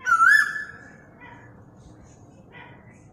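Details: Asian koel recorded on a mobile phone: one loud, clear whistled note that rises sharply and then holds steady, lasting about half a second, followed by a faint, quiet background.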